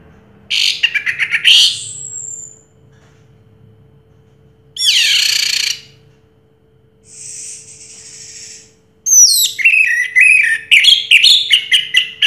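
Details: Song of a 2022 first-prize orange-headed thrush: separated bursts of rapid high chirps, a rasping buzzy phrase and a steady high hiss-like note, ending in a fast jumble of twittering, squeaky notes.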